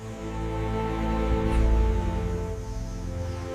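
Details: Steady instrumental background music with sustained low tones and no animal voice.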